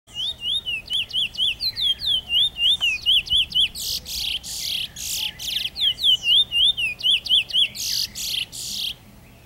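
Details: A Trinidad chestnut-bellied seed finch, recorded 2014, sings fast, sweet wavering whistles, about four per second, broken by loud harsh buzzy bursts before the whistling resumes.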